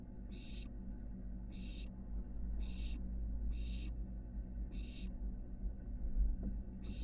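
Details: Barn owl nestling climbing from nest box porch to building roof at the University of Florida: six clean, breathy hissing screeches spaced about a second apart against a steady low hum and a brief thud near the end.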